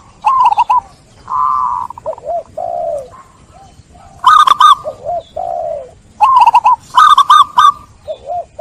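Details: Zebra dove cooing as therapy for doves stressed by trapping: mellow low coos and falling notes interleaved with two loud bursts of fast trilled coos with crisp clicks.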